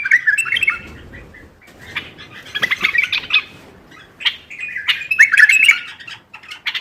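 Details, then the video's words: Bulbul singing to stimulate other bulbuls: fluty warbled phrases mixed with scratchy bursts, delivered in quick irregular bouts over about seven seconds. "تغريد تحفيزي للبلابل القافلة ترديد صوت البلبل"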